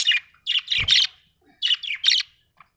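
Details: Budgerigar chirping in two short bursts of scratchy, buzzy squawks and chirps, each a rapid cluster of three or four notes, separated by brief silence, with a soft thump in between.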